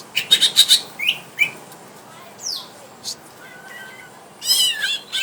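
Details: Greater green leafbird at home, provoked to fight a rival to test its mettle: bursts of rapid high chirps, a sweeping whistled slur, scattered sharp notes and a harsh rasping flurry near the end, with quiet gaps between.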